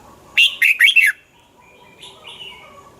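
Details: Caged red-whiskered bulbul song for stimulating birds: one loud phrase of four rapid, rolling whistled notes, followed by softer faint chirps.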